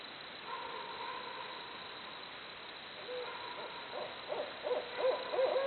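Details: Barred owls making jungle-like noises: after a quiet stretch with a faint steady hum, short hoots begin and quicken into a rapid series of rising-and-falling notes, growing louder toward the end.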